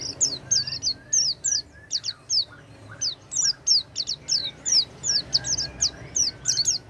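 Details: Oriental white-eye song used to coax a silent white-eye into singing: rapid high chirping notes sliding downward, given in quick bursts with faint lower whistles beneath.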